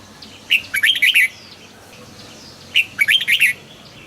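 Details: Caged red-whiskered bulbul gives two matching phrases about two seconds apart, each an opening sharp note and a rapid bubbling string of four or five rising-and-falling whistles.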